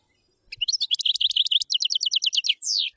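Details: Common chaffinch delivering a complete song: a brisk descending series of clear repeated chips that grows quicker toward the end and closes with a slurred, emphatic final flourish. A faint low thump is heard near the start.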